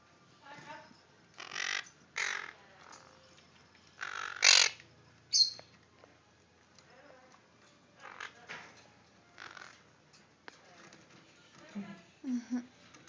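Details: Four caged baby Quaker parrots, two males and two females, give harsh, raspy broadband squawks in short bursts of about half a second, a few seconds apart. A woman talks softly to them between calls in a small room.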